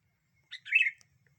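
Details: Sooty-headed bulbul, said to provoke other birds into agitation, in a bird-luring context: a brief sharp note followed by a bubbly, warbled phrase with a bright clear peak, then silence.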